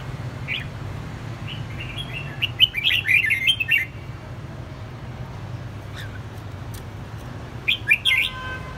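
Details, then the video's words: Red-whiskered bulbul, escaped and challenging a domestic bulbul, delivers a fast run of warbled chirps around the third second, a quiet gap, then another brief chirped burst near the end, over a low background drone. "chào mào xổng Đế Vương nay chịu cự mạnh chào mào nhà ..."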